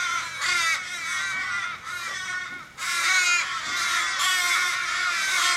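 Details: Many Australian ravens call together around an injured raven, possibly hit by a car, in Kellyville, Sydney, July 2012; a dense, continuous wash of overlapping harsh wailing caws with no clear breaks.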